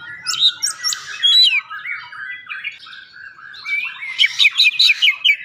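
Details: Oriental magpie-robin lure song for prompting singing: scratchy, squawky phrases at first, then a softer warbling stretch, ending in a fast burst of repeated sharp notes.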